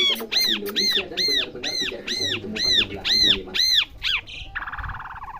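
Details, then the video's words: Asian pied starling being trained to learn sounds; eight loud arched, ringing notes repeat evenly about every half second, then a short buzzy rattle ends the phrase. "Melatih jalak suren belajar bunyi"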